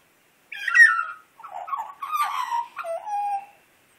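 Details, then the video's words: Australian magpie, a wild bird asking for breakfast, sings three or four mellow warbled phrases, starting with a strong descending flute-like note, then gurgling, slightly harsh segments ending on a steady whistle. "magpie wanting breakfast made to sing first"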